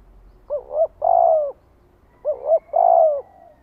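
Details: Spotted dove kept as a lure to bring wild doves in to fight, repeating a deep coo phrase twice: a rapid double note, then a sustained hoarse coo.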